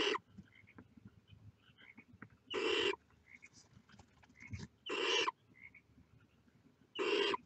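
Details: At the nest, barn owl chicks with heads out produce loud breathy hisses, four evenly spaced bursts roughly every two and a quarter seconds, with faint twittering notes between.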